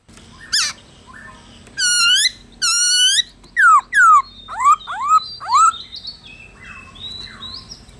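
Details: A black-throated laughingthrush sings in the forest-voice style, a recording meant to get other birds singing. Long, steady ringing whistles give way to quick down-slurred notes. Faint chirps of other birds sound in the background.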